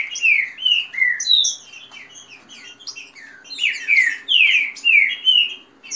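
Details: Fast song of a Green-winged saltator, one of several kept birds in a contest, mixed with female calls and rain-style singing: rich whistled slurs in rapid runs, a softer stretch mid-clip, then strong phrases resume.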